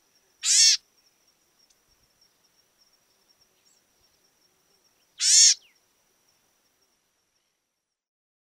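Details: House Wren from Argentina: two harsh, buzzy rasping notes, each about a third of a second long, spaced about five seconds apart in quiet surroundings.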